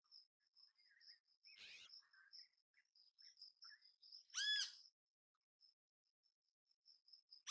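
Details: ['Great kiskadee in natural habitat: one strong harsh arched note amid scattered soft bird chirps and a steady high-pitched insect-like drone, with another call starting at the very end.']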